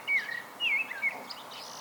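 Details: Blackbird in solo song: two short, clear fluting phrases with slurred whistles, followed by a faint squeaky twitter.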